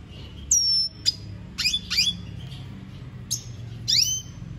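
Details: Venezuelan goldfinch giving spaced high notes: sharp descending whistles, quick upswept chirps and a final rising slur, each separated by short pauses over a low background hum.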